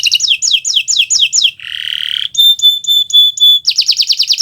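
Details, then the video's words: Tutor recording of a Kenari Nusantara canary in gacor song: repeated falling slurred notes, a coarse buzzy rattle, clear metallic pulsed whistles, then a quick rolling trill. "Suara Burung Gacoran Kenari Nusntara"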